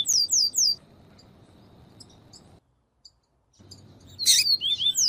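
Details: Double-collared seedeater, viviti song style with female calls, played to stimulate males. Brief bursts of high, sharply slurred notes open and close the stretch, separated by a quiet gap.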